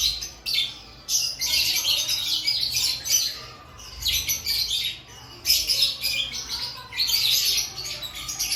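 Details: Several lovebirds kept in an aviary before breeding season call in rapid overlapping bursts of scratchy high chirps, each group lasting one to two seconds.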